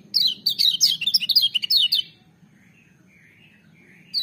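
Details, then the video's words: Kecial kuning, the lemon-bellied white-eye, in a booming yet melodious song: about two seconds of dense, high, rapidly warbled notes sweeping up and down, then near silence with faint soft tones and a new burst at the end. "Kecial Kuning joss gacor menggelegar tapi merdu"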